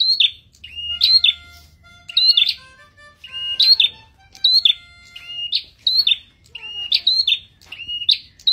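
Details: Red-headed prinia after three months of care, repeating a high, sharp, chirpy phrase about once a second, each dipping then rising, with faint tonal sounds behind; Red-headed prinia.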